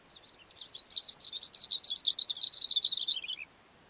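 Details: Cape grassbird perched on a rock on a mountain slope, delivering a rapid chattering song of high, scratchy notes that builds in loudness, then drops to a few lower closing notes before silence.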